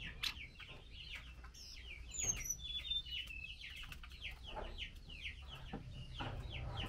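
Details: Female Chinese hwamei calling to the male while being fed mealworms; rapid series of short, downslurred chirps repeated several times a second, with a few higher thin whistles and light clicking noises.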